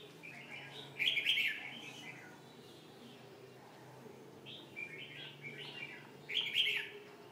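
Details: Red-whiskered bulbul singing: two loud bursts of bright, warbled chirps about five seconds apart, with softer rising and falling phrases between them over a quiet background.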